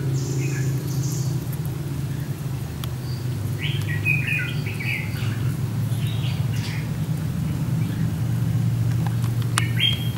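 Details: A decoy Red-whiskered Bulbul lures a wild bulbul into a fighting trap in warm sunshine. A cluster of quick bright chirped notes comes mid-clip, with a few later chirps, against strong low-pitched background rumble.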